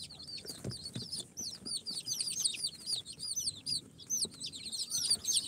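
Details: A brood of four-day-old incubator chicks, including Sultan, Golden Sebright, Cochin and booted breeds, calling loudly with clear arched, whistled peeps in quick succession, many birds at once, plus occasional taps.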